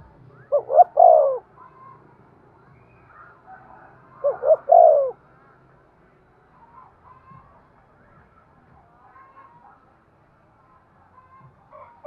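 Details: Spotted dove cooing to prompt breeding: two phrases about four seconds apart, each of short rising notes then a long soft falling coo, followed by a long quiet stretch with faint background sounds.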